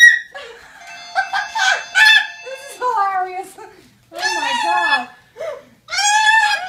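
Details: A cockatoo vocalising with loud harsh screeches and tonal, speech-like squawks in uneven bursts, with short pauses between outbursts.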